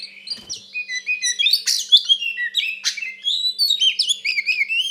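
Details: Fighting song of a white-rumped shama, given to rile another shama: flowing whistled phrases with rising and falling slurs, scattered harsh bursts, and quick high trills toward the end.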